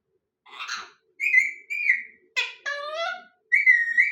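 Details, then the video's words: A parrot gives a series of short whistled calls, some flat and ringing, one harsh burst and one falling harmonic squawk, each under a second long. "Parrot Sounds"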